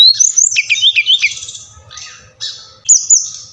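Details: Brown-chested jungle flycatcher, SRDC Bali, song used as a lure to get lazy captive birds singing: high, rapid whistled phrases with sweeping slurred notes, broken by short pauses, over a faint steady electrical hum.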